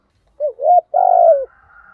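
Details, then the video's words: Decoy spotted dove cooing to spur wild doves: two short rising notes, then one long, even, slightly falling low coo, with a faint higher tone trailing after. "chim cu moi thuc gu bài vở nhất hiện nay/ kích thích chim bổi nhanh nổi gù"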